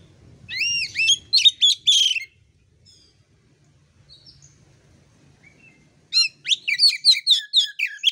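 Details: Kacer (Oriental magpie-robin) training song for birds whose voice has not yet opened: loud looping whistled phrase, near silence with a few soft notes, then a rapid rhythmic burst of sharp chirps about four per second.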